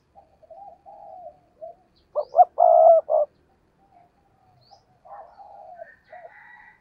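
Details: Spotted dove kept as a decoy, cooing in the fiery 'căng lửa' manner. Soft low coos surround one loud phrase of two quick notes, a long throaty coo and a short clipped ending.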